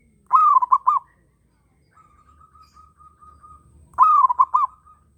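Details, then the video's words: Zebra dove, a local bird in breeding condition, gives two loud phrases of rolling warbled coos, separated by a long soft, steady purring trill at one pitch; faint low hum underneath. "Perkutut Lokal Birahi Kenceng ‼ Burung Lain Ikutan Bunyi"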